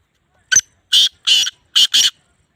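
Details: Black francolin calling in Sindh, Pakistan: one short harsh note, then two longer grating notes and a final quick pair, loud and buzzy against silence.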